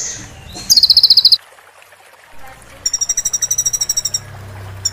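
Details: Recording for training moulting kolibri ninja sunbirds: a thin whistle, then two bursts of very fast, metallic, high rattling trills separated by a short silence.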